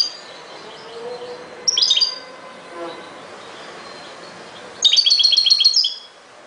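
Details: European goldfinch song, with a short, bright, jangling burst followed later by a longer run of fast, liquid twittering notes, high and rapidly repeated.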